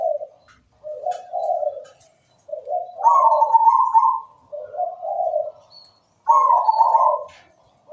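A zebra dove sings soft, mellow coos, then louder, higher rolling phrases, repeated in bouts every few seconds; faint high ticks in the background.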